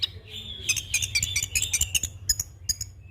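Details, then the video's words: Young orange-headed thrush in full rolling song, used for training and luring other birds: a thin sustained whistle overlaid by rapid, evenly spaced high chattering notes, about five per second, then a few sparser chips. "Anis Kembang Ngeroll Full isian - Masteran dan Pancingan Burung Anis Kembang Muda"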